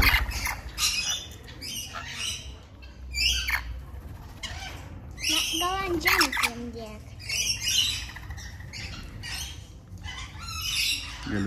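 Rainbow lorikeets give harsh, grating screeches in rapid irregular bursts, several birds overlapping, with a few shrill chattering notes between.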